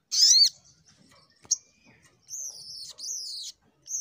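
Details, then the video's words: Sunbird in fighting mode giving scattered high calls: a loud downslurred squeal, a sharp click, then two drawn-out thin, wavering whistles. "Burung SogokOntong N3mbak Full Fighter"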